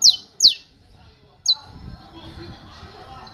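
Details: Canto martelo ('hammer song') of a saffron finch: three strong, high, falling chips, the first two close together, followed by a soft continuous murmur and low background noise.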